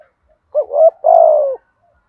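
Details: One spotted dove phrase, thúc gù calling: a short rising note and a wavering second note, then a sustained, gently descending coo. The background is otherwise quiet.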